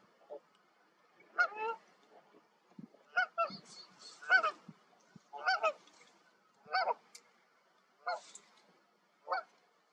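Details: Canada geese in spring, returning migrants settling to nest on a partly thawed lake amid melting snow, give loud, nasal two-part honks, about eight in ten seconds at an uneven pace, with softer murmuring between calls.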